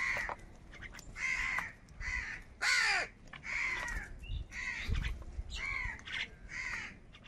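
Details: A rapid run of about nine hoarse caws as crows fight for food, one louder harsh call standing out early, with faint low rumbling beneath.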